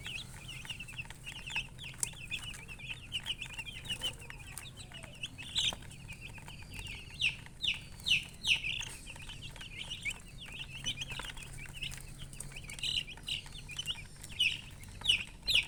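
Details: Baby chicken chicks chirping: dense overlapping high, thin peeps from many chicks, short rising and falling notes repeated rapidly without pause, with a low steady hum underneath.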